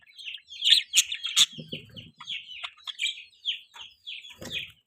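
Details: A budgerigar gives rapid bright chirps and short squeaky trills in a steady chattering stream, with a faint low clucking sound in the middle.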